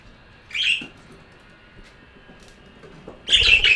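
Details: A budgerigar utters a harsh, high squawk, falls silent for over two seconds, then gives a louder, rougher burst of grating chatter.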